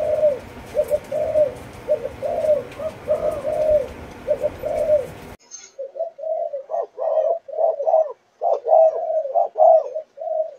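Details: Spotted dove, four months old, Malaysian line, chiêu gù chạy style. Low cooing notes run in quick groups, first against heavy background hiss, then clean and fuller, with rapid paired coos.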